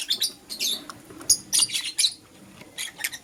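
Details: Morning chirping from pet lovebirds, green Personata and yellow pastel pied: quick, high, squeaky chirps in short bursts about every half second, with a calm background.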